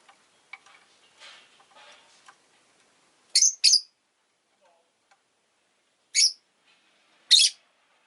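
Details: Pet rosy-faced lovebird indoors with city noise outside, uttering four loud, harsh, high chirps, two close together then two spaced apart, after soft scattered clicks and rustles.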